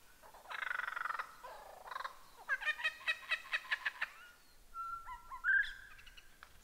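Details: Lyrebird song for masteran tutoring: a buzzy drawn-out note, a string of regularly spaced clicking pulses, then a steady whistle rising into a sharp trill, over faint background hiss.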